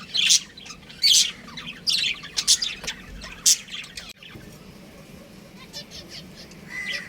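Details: Budgie breeding pair kept at home chirping: loud scratchy chirps roughly every second for four seconds, then only soft distant twitter and a low rising note at the end.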